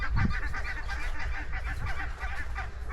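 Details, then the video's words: Short burst of goose honking in open grassland, quick nasal calls stacked closely over three seconds, with a soft thump of wind early on. "Grassland Walk with Goose Sounds"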